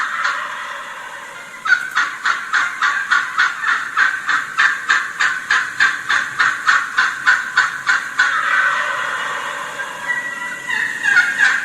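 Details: Excited wild turkey hen yelping to gobblers coming toward her flock, showing a vocal reflex: a long fast series of about twenty-five even, raspy yelps, then a break as a gobble rolls in, then more calling.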